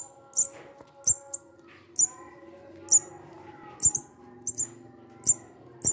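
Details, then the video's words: A young, hungry munia found behind a house and being hand-fed gives thin, very high, sharp chirps, about one a second at an uneven pace, some in quick pairs, over a faint steady hum. "Ganito pag gutom na ang ibon pipit"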